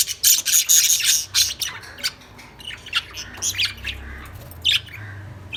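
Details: Lovebirds chirping: rapid shrill, harsh chirps in clusters, about four per second, louder in the first seconds, over a steady low hum.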